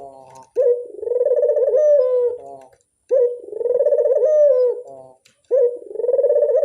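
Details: Lure call of a dove, played to attract wild doves: three loud, rolling coo phrases about two seconds apart, each opening with a sharp note and then a long, slightly wavering, throaty coo.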